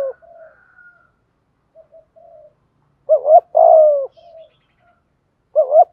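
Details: Spotted dove in the thúc gù style, used as a lure to stir wild doves to answer: a quiet low cooing, then a loud paired hooting coo with a long drawn note, repeated near the end.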